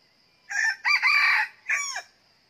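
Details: Red junglefowl decoy rooster crowing out of season at a second trap site set to catch wild birds: a loud, harsh crow in three bursts, a short note, a long strained middle phrase and a falling final note, over a steady insect hiss.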